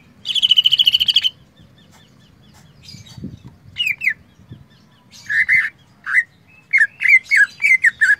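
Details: Common iora singing with mimicked filler phrases of canary and cililin: a rapid buzzy trill of about one second, then a pause and a quick series of short, clipped, slurred whistled notes delivered in bursts.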